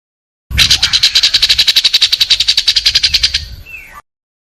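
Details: Long-tailed shrike tutoring song, home yard and rice field, 16 May 2022, recorded on a Samsung M30 phone: a loud steady pulsed trill of around thirty rapid notes, ending in a soft slurred whistle.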